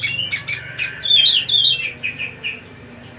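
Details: Cucak rumbai song: a lively run of varied chirps and sliding warbled phrases, loudest in the middle, that fades into scattered short notes over a low background hum.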